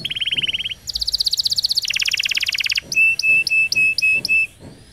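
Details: Canary roll song for training young canaries: rapid high trills shifting pitch in three blocks, followed by six evenly spaced clear whistled notes repeated about four per second.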